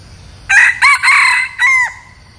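A red junglefowl gives one brisk crow: four loud, harsh, ringing syllables over about a second and a half, the last one dropping off abruptly. The background is quiet.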